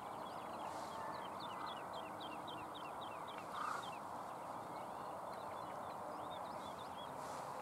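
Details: A large flock of common house martins flying over a pond, now and then perching in a tree: a quick run of short, dry twittering chirps followed by scattered calls, over a steady broadband rushing noise.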